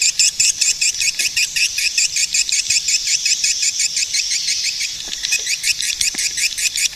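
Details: Swiftlet giving rapid, shrill chirps, about three per second, strung into a continuous twitter with little pause.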